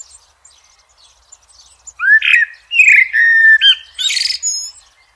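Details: Blackbird singing in nature: a rich, rising warble of mellow whistled notes, then a sustained fluted note, ending in a shrill, squeaky high flourish.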